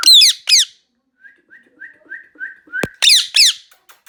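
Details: Indian ringneck parrot screaming loudly in falling harmonic screeches, broken by a run of six short, evenly spaced whistled chirps, then more screams and a few faint clicks.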